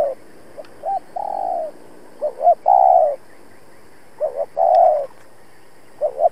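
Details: Decoy spotted dove calling rapidly to provoke rival doves during trapping; low hollow coos, paired short notes leading into a longer drawn-out coo, repeated several times with brief pauses, faint background hiss.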